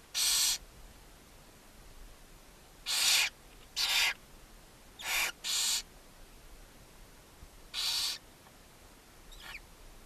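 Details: Barn owl mother feeding seven owlets in a nest box on a chimney in Ságvár, Hungary, May 4, 2024. Seven loud, short rasping hisses come at uneven intervals, some in close pairs, with a faint rising squeak near the end.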